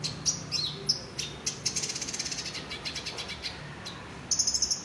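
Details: Olive-backed sunbird, caged, delivering a long fast run of rapid high ticking notes after a few sharp whistled chips, closing with a thin, glittering high trill.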